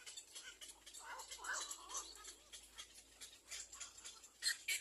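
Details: Little black cormorant chicks waiting for their mother to feed them give rough, noisy squeaking begging calls in irregular bursts, with faint clicking and rustling throughout.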